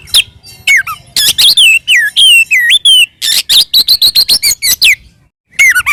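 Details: Oriental magpie-robin giving a fighting song to stir up rival magpie-robins: loud whistled notes sliding downward, then a rapid series of sharp chirps, a brief silence, and a closing whistle.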